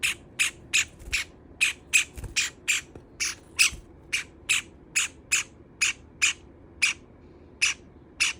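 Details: Java sparrow kept as a pet beside another bird, loudly grumbling over feather-nibbling: a steady series of sharp, emphatic chirps about two per second, with a few soft knocks in between.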